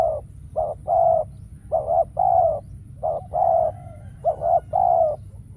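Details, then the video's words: Spotted dove used as a decoy, calling during bird trapping while no wild doves appear: repeated low, hollow coos, each a short note followed by a longer one, in groups about every second, over a faint steady high hum. "Bẫy Chim Cu Gáy , Cu Gáy Bổi Giờ Hiếm Quá Mồi Kêu Vậy Mà Chả Thấy"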